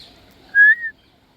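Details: Single short clear whistle from an African grey parrot, held level and then sliding slightly downward, over a quiet background.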